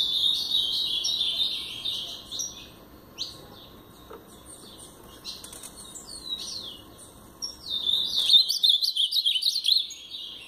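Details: Blue-black grosbeak, brown-plumaged, in Paraná song style: a warbled opening, a few spaced descending whistles during a quieter stretch, then a loud, rapid closing flurry of high chirping notes.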